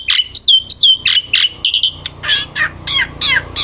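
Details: Black-winged myna in loud song while held in the hand outdoors. Strident, nasal looping notes repeat in a quick sequence, then a faster, scratchy jumble of calls.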